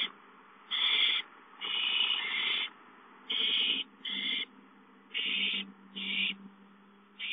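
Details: Owls at a nest watched by a live camera, where a gopher is delivered as prey. Rasping, breathy screeches of varying length come in uneven bursts, one drawn out over a full second, with a faint low hum underneath.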